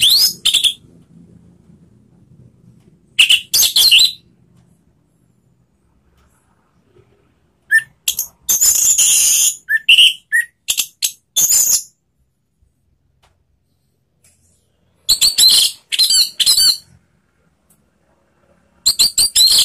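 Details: Orange-headed thrush singing a loud, full "ngeplong" song of high whistled and scratchy phrases in separate bursts with pauses between.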